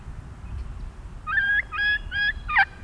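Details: A wild turkey, recorded up close in the wild, gives a kee-kee run call: four clear whistled notes that rise then break into yelps, about half a second apart, over a low rumble.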